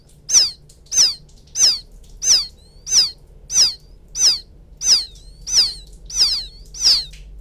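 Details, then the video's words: Lure recording of a young field quail calling its mother: about ten very regular, loud, high peeps, each sliding steeply downward, spaced roughly two thirds of a second apart. "Suara pikat anak burung puyuh memanggil indukan,suara anak puyuh ladang,puyuh sawah"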